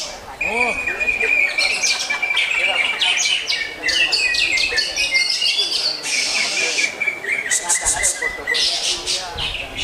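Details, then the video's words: Greater green leafbird pouring out a lively song: a long steady whistled tone under rapid chattering trills and crisp high notes, with a brief human voice at the start. "Lagu Mewah Cucak Hijau"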